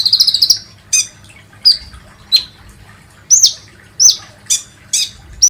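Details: Olive-backed sunbird lure sound intended to set birds singing: a short opening trill followed by single sharp, high, upslurred chips spaced roughly every half to one second.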